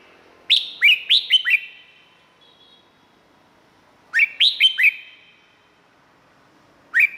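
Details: Red-whiskered bulbul from Thailand, played to make birds lively: two cascading phrases of five quick whistled notes dropping in pitch, about three and a half seconds apart, then the start of a third.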